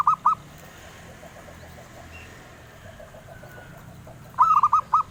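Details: Zebra dove song valued by collectors: the tail of one cooing phrase, a pause with faint background hum, then a complete run of five low, rolling notes.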